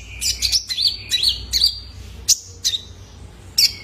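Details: Juvenile male Kolibri Ninja, a caged bird whose call is used to draw out other cage birds: high thin whistled notes with quick sliding trills, in short bursts separated by brief pauses.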